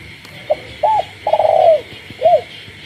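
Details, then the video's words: Caged spotted dove at night in a village setting: a single coo phrase rising through a brief note and an arched hoot to a long quavering coo, ending in a falling note, over frogs. "cu gáy trong đêm, cu nuôi avi gáy ban đêm hòa cùng tiếng ếch nhái"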